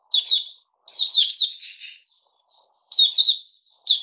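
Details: Puteh Raja bulbul singing after a special feed of fruit juice, one mealworm and a health drink, dated 08-05-2021: three bursts of bright, warbled, chirpy phrases with quick up-and-down notes, separated by short silences.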